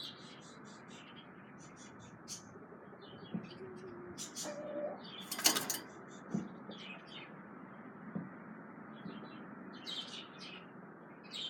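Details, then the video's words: Female budgerigar chirping. Short, thin chirps and twittering notes come in scattered bursts, with one louder outburst midway, over a steady background hiss. "Female Budgie/Parakeet Chirping(Bugles)"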